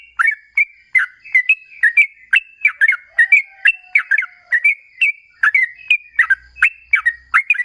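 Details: Sooty-headed bulbul singing vigorously in long ropel style, meant as a lure to draw replies: steady bubbly, liquid two-note phrases repeated about twice a second, clean and without background noise.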